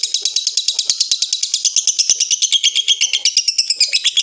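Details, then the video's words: A lovebird ngekek, harsh and slow to end, diesel-like: quick, evenly spaced shrill pulses form a chattering trill that breaks into sharper, more separated notes toward the end. "Lovebird ngekek berhenti seperti Disel"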